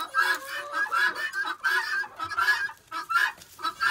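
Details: Chickens at feeding time in a pen being cleaned, busy with fresh leaves, chatter constantly. Short, mid-pitched clucks and trills overlap in an irregular stream from several birds.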